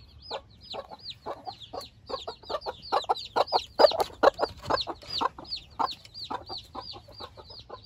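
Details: Four Silkie hens with 24 newborn chicks on their first outing: repeated high, hooked chick peeps about twice a second alongside loud, punchy hen clucks forming a busy rhythmic chatter.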